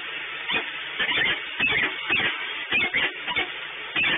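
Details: Peregrine falcon recorded at Orlen in Płock: harsh, broadband calls repeated about one and a half times per second, each burst short and ringing with bright upper notes, over a steady low hum.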